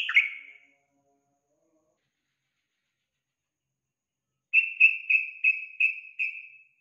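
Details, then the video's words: Yellow-vented bulbul, a lure call to make other bulbuls sing: one bright falling note, a pause of about four seconds, then six quick, even chirps at the same mid-high pitch, about three per second. "Pancingan Trucukan agar Trucukan cepat Bunyi dan Gacor"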